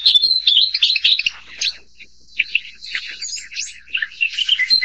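A Narcissus flycatcher gives a quick run of bright, high chirps and warbled whistles, broken by a short pause, then more varied notes.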